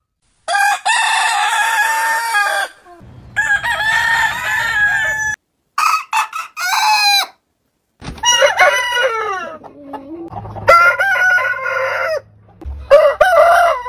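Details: Roosters of various heritage chicken breeds crow one after another, each a loud, drawn-out, harmonic call lasting one to two seconds, some rising then falling in pitch.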